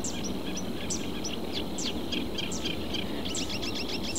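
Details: A reed warbler calls from reeds in southern Portugal, a fast, jerky chatter of scratchy high notes that quickens into a dense burst near the end, with a steady high hum and low rumble behind.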